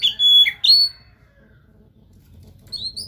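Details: Oriental magpie-robin song for stimulating another bird; two loud, pure swooping whistles open, then quiet, ending with thin high twitters.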